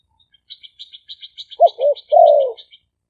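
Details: Spotted dove, a caged decoy bird from Roi Et, Thailand, recorded live on a smartphone for luring wild doves. Two short coos and then a longer falling coo follow a run of high, quick chirps from another bird.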